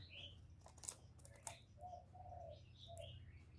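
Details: Spotted dove used for luring wild birds, giving three or four low, hollow, drawn-out coo notes in a row, with high chirps from other birds and a faint low hum.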